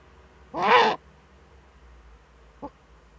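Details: Female Eurasian eagle-owl in a nest niche, filmed by a nest webcam in northern Rhineland-Pfalz, Germany, on 5 May 2013, while she scratches in the niche: one harsh, raspy, broadband call of about half a second, then a faint short note.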